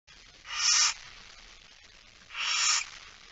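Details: Barn owl at a nest on 6 September 2019 at 21:14, as the male brings the evening's first mouse: two harsh, breathy hissing bursts about two seconds apart, each roughly half a second long, over quiet background.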